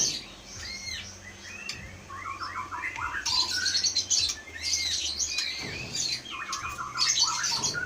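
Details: White-rumped shama from Aceh Leuser, a caged forest-caught bird with strong mimicry, sings quick chattering runs of short notes mixed with high hissing, sparkling phrases and low background hum.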